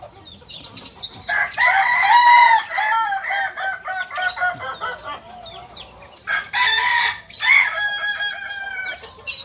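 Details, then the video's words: Kukuak balenggek chicken, an original bird from Solok, West Sumatra: a long multi-syllable rooster crow with stepped, wavering notes, a second crow starting after a pause, and other chickens' calls in the background. "Ayam kukuak balenggek asli solok sumbar"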